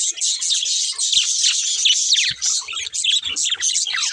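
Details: Budgerigars, a breeding pair, keep up fast, bubbly chatter: rapid high chirps and short down-slurred notes packed tightly together, with brief dips in loudness and faint knocks in the background.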